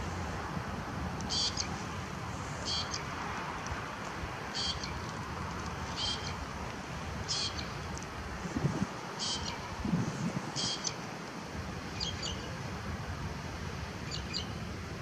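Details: A lesser grey shrike at Salinas del Carmen, Fuerteventura, 2018, sings short, high, scratchy phrases, one every second or two, over a steady rushing background of wind or distant traffic.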